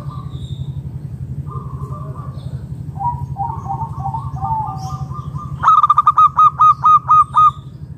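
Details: Local wild zebra dove used to lure other doves into calling: soft quavering coos over a low hum, then a loud, even series of short, punchy hollow notes near the end.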